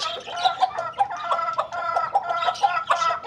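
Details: Domestic chicken in the morning giving a run of short, harsh, clucking calls in quick irregular bursts, about eight over three seconds, with faint chirping of small birds behind.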